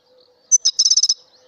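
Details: A colour-mutation European goldfinch gives a single brief phrase: one sharp high note, then a fast trill of about seven crisp, evenly spaced chirps, before quiet returns, with a faint low hum in the background.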